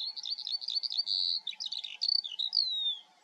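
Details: Eurasian skylark filmed in the Eifel, Germany, singing a fast continuous warble of chirps, trills and buzzy notes with a long sustained tone and a smooth falling whistle near the end.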